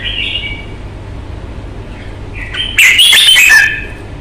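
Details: A caged red-whiskered bulbul in fighting form gives a soft whistle, a pause, then a loud, dense burst of bright warbling notes lasting under a second, with a low electrical hum throughout.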